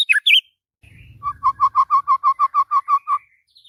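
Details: White-rumped shama in morning song, a few sharp high notes, a brief low rumble, then a steady run of about fifteen identical mellow notes repeated three per second.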